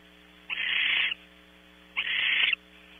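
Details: Two harsh, broadband hissing screeches about a second and a half apart from barn owls at a California ranch nest before 6 a.m., as the male brings more prey; a steady low hum runs throughout.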